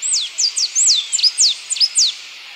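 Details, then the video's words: Pipraeidea bonariensis, the blue-and-yellow tanager, delivering clear high whistles that swoop steeply downward, spaced irregularly, some bent or hooked at the end, over soft hiss. "Canto do Sanhaço Papa Laranja Pipraeidea Bonariensis"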